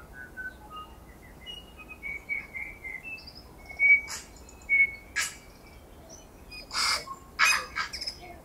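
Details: Wild tui in winter on Owairaka, feeding among exotic banksia and flame tree blossoms, gives soft sustained whistles followed by sharp clicks and wheezy bursts.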